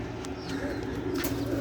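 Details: Newly acquired pigeons waking in the morning, giving low, soft cooing phrases that swell through the second half over a steady background hum.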